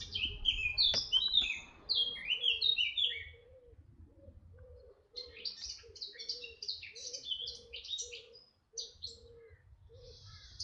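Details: Red-backed shrike at Artomaña, Orduña, Bizkaia, Spain, 2025: bursts of high, scratchy chirps and twittering notes in quick runs, with a dove's soft, low cooing repeating steadily underneath and a faint low rumble.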